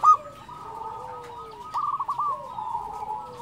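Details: Local zebra dove singing as a lure for silent doves: steady sustained coos with a lower gliding note beneath, a cluster of quick rolling notes near the middle, fairly quiet throughout.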